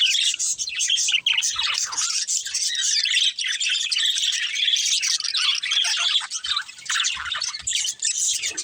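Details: Budgerigars, a breeding pair, chirping and chattering continuously in dense, buzzy high-pitched warbles with rapid squeaky notes, a steady busy stream throughout.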